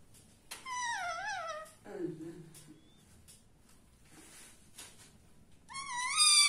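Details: Pair of pet parrots having fun together. A loud warbling vocalization bends up and down, a lower hoarse note follows, then quiet, and finally a strong rich-toned call rises at the end.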